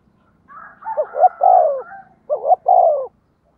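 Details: Lure spotted dove cooing fast to draw wild doves: a faint higher call overlaps the first phrase, then two crisp phrases of short notes leading into long descending coos.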